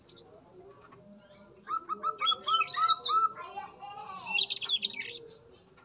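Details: Yellow-rumped flycatcher male in captivity at a breeding cage: a series of evenly repeated mid-pitched notes, followed by dense high twittering bursts, with other bird calls alongside.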